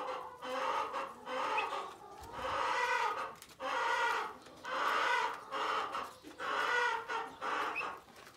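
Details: Four-week-old Bronze turkey poults, recorded 18 May 2020; loud, harmonic calls in bursts of about a second, roughly one per second, some with rising whistled tips.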